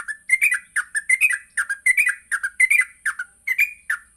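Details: Yellow-vented bulbul, singing vigorously in the morning, used as a lure for training other bulbuls to sing and to ngropel: bubbly, slurred whistled phrases repeated in quick bursts about every half second, over a faint steady high-pitched hiss.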